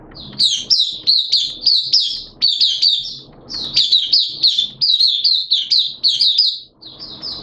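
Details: White-eye kept as a hobby songbird, recorded 11 September 2022 in wet, erratic weather, singing a fast, high, jumbled warble of twittering notes in bursts, with short pauses and faint low background rumble.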